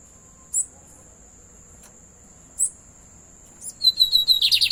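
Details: Lined seedeater kept as a pet: scattered short high chips, then the song begins with thin whistles and breaks into a fast, rasping, pulsed trill as the recording ends. A steady high whine runs throughout.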